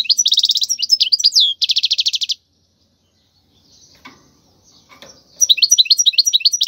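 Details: European goldfinch song for training young birds to sing: fast bursts of bright, high twittering notes and rapid trills, broken by a silent gap with faint low rustling before the twitters resume.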